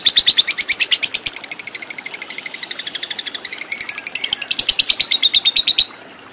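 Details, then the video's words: Lovebird giving a long, unbroken chattering trill of rapid, shrill, high-pitched notes, about six seconds long, rising and falling slightly in pitch. "Lovebird Fighter Ngekek Panjang"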